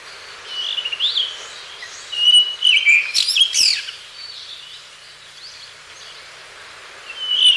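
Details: Blue rock thrush from a reference call library, singing a run of clear fluted whistles and twittering notes. Several phrases bunch around the middle, followed by a quiet gap and a rising whistle at the close.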